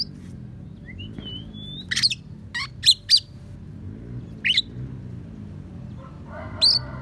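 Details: Oriental magpie-robin filled with house sparrow and prinia mimicry, used as a training tutor: thin rising whistles, sharp high chipping bursts and a brief buzzy phrase.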